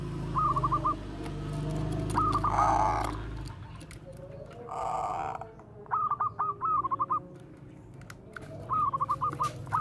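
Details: Bangkok zebra dove with bekur koar-koar cooing, used to draw out other doves' song. Short clusters of rapid staccato notes recur every few seconds amid low rumbling background noise and faint voices.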